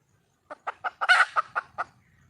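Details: A wild junglefowl hen seeking a mate gives a short cackle: a few sharp clucks rising into one strident, noisy squawk, then three more clucks; faint low rumble afterward.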